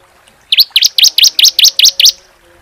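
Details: Bar-winged prinia (ciblek) in a tembakan AK-47 style song used to tutor songbirds: eight sharp, high V-shaped chirps fired in a quick, even run of about four per second, then silence.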